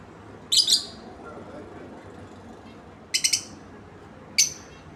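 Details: A pair of lovebirds: three short, sharp bursts of shrill, high chattering chirps, separated by pauses of a couple of seconds, over quiet background noise.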